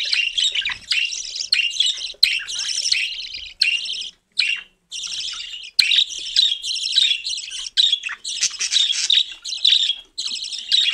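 A cockatiel chatters almost nonstop in bright, scratchy bursts of chirps and squawks, pausing only briefly between runs.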